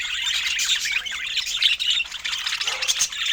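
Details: Budgerigars at feeding time give a bubbly, warbling chatter. Rapid scratchy chirps and short whistles tumble over each other, and a slightly lower grating phrase comes near the end.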